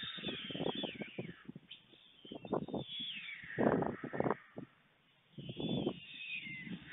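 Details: White storks at their nest in Fohrde, Germany, midday on 23 July 2019 as food arrives: bursts of coarse rattling clatter with faint high whining slides overhead, a short silent gap before more rattling.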